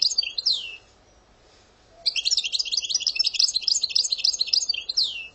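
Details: European goldfinch from Algeria singing, a song style locally named in Arabic with a passade: rapid twittering and buzzy notes in a dense high burst after a pause, opening and closing with descending swept notes.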